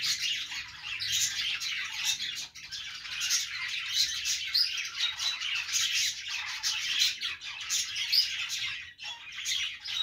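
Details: Budgerigar chatter from a group: steady high-pitched warbling and rasping squawks layered together, with brief sharper chirps rising above the constant twitter.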